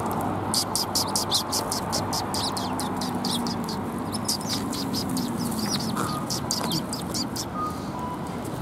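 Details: Sparrows on red plum blossoms at a Tenmangu shrine, Japan, 4 March 2021, chattering in a busy stream of short high chirps that thins out toward the end, with steady low background noise.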